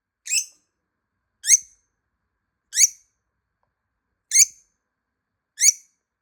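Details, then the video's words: A hidden pet lovebird calls out to be found, with five single, harsh, high-pitched chirps repeated roughly every 1.3 seconds against silence. "모란앵무새 소리"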